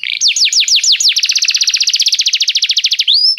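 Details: Canary singing a tutor song for training other canaries: a few loud, sweeping whistled notes, then a long, fast, even trill of repeated buzzy notes, and a final rising slur. No other sounds are present.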